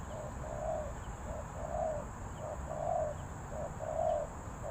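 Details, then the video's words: Spotted dove cooing steadily in soft, low, hollow notes, grouped into short phrases about one per second, over a faint background hiss. "เสียงนกเขาใหญ่ 3กุกห้อย เรียกลงกุก2กุก"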